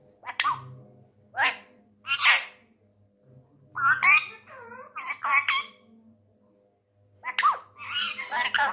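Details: An angry, tame male Indian ringneck parrot talks in Urdu/Hindi. Sharp clipped syllables and a wavering, bent-pitch phrase come in irregular bursts with short silences between them. A low background hum runs throughout.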